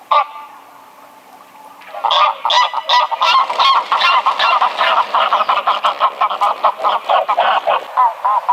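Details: Greylag goose call that starts with a lone honk and a quiet gap, then breaks into continuous, rapid, rhythmic honking lasting several seconds.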